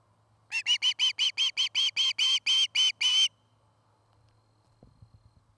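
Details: Osprey at its Charlo, Montana nest, part of a pair building a new nest, gives about fourteen rapid, evenly spaced whistled chirps, followed by a few low knocking thumps at the nest.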